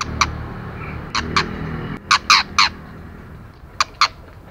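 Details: A female white-rumped shama calling to excite male birds gives harsh dry clicks singly and in clusters of two or three, separated by pauses, over faint background noise.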